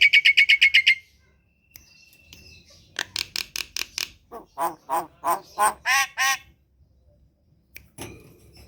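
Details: Javan myna kept at home, prompted to sing in the morning: a quick trill of high notes, a pause, then a series of loud, harsh, widely spaced squawking notes.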